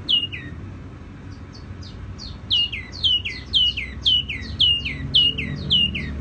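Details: Clear song of a tiểu mi songbird: high, crisp descending whistled notes repeated quickly and steadily, each note dropping sharply in pitch, over faint low background rumble.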